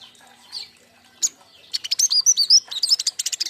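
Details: King konin fledglings in a group, used as a lure and master song for young birds: after quiet scattered chirps, a fast burst of sharp high twittering with repeated arched whistled notes.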